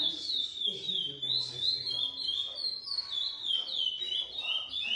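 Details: Lesser seed finch, GP x Coimbra line, captive-bred, giving a fast, continuous song of clear whistled notes bending up and down, with soft low background noise.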